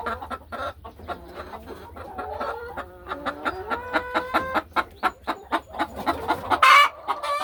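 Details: Laying hens inside a hen house on a peaceful farm afternoon, settling into nesting boxes and walking along ledges; soft clucks build into a run of short, evenly spaced, harmonic calls that quicken and grow louder toward the end.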